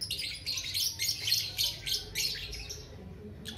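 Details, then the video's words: A lovebird in full voice giving a long chattering song: a rapid chatter of shrill, high squeaky notes in dense bursts, several per second, with brief gaps between runs. "TERAPI SUARA LOVE BIRD BALIBU GACOR NGEKEK PANJANG"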